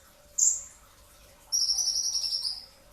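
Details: Brown-throated sunbird singing at the pre-dawn meal hour. One piercing, very high falling note is followed by a long, rattling buzzy trill of over a second.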